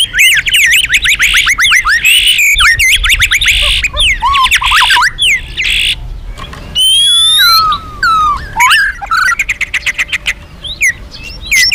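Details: Magpie-robin singing loudly and busily, a recording intended to lure other birds: dense rapid series of sweeping whistles and buzzy trills, harsh squawks, rattling repeated notes near the end, delivered in energetic uneven bursts.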